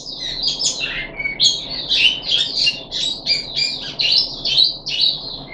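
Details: Caged puff-backed bulbul, recorded 14 July 2021 on its third day of deworming, gives a dense, lively warble of rapid rising and falling whistled notes, almost without pause, over a low background hum.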